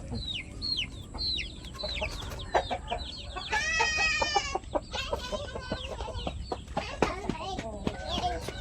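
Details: Pet chickens in a flock with new members: a string of descending chirps, then a long, loud, buzzy harmonic squawk, followed by busy overlapping clucks and sharp taps.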